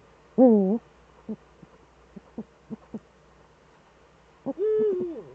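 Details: Eurasian eagle-owls in the Eifel, Germany, both birds back, evening of 11 March 2013, 18:47: a buzzy wavering call, scattered soft knocks, then a longer level call that droops at the close.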